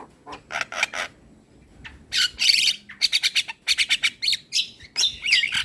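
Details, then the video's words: An Asian pied starling's song, played mornings to train young birds: soft scratchy notes opening into loud harsh squawks and rapid repeated clicking chatter. "Masteran Burung Jalak Belajar Bunyi Putarkan Suara Jalak Kebo Setiap pagi"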